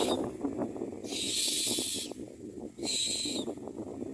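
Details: Common myna at its nest feeding chicks; two loud, harsh hissing bursts about a second apart, each holding a steady whistled tone, with a rustling, crackling background.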